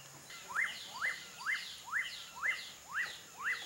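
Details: Wild, free-living Black-fronted Nunbird (Monasa nigrifrons) giving a steady series of sharp rising notes, about two per second, each sweeping up and then dropping, over faint background insect hiss.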